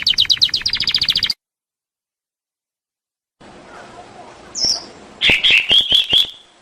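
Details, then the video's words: Canary used as a singing lure for other canaries: a rapid pulsed trill, then sudden silence, then faint background, a short high whistle and a few loud repeated chirping notes. "Pancingan burung kenari super ampuh"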